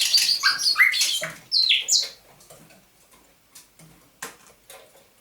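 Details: Thrush nightingale in captivity, caught near Saint Petersburg in May 2019, at dawn on 27 November 2021: two seconds of loud jumbled whistles and buzzy notes, then quiet scattered clicks and soft ticks.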